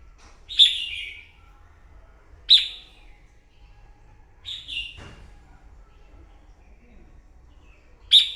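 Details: Red-whiskered bulbul caught from the wild, singing competitively in the morning: four short, sharp, downward-sweeping whistled phrases at irregular intervals, with faint background noise.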